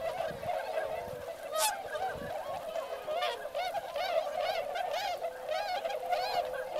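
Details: Large flock of wintering swans with ducks, including many northern pintails, at Motono (Inzai), Chiba, Japan, some walking in the neighbouring rice field; steady chorus of overlapping bugling honks, duck calls likely mixed in.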